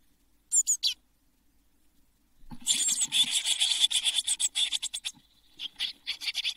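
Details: Nest-box brood of seven Eurasian blue tit chicks in June 2022, just before fledging at Midsummer: a few sharp high bursts, a two-second silence, then a loud, sustained scratchy chorus of rapid calls, later thinning to spaced bursts.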